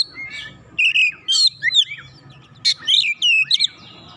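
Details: White-rumped shama singing at a rival in two short bursts of loud swooping whistles and harsh chips, separated by a quiet pause with faint background hum.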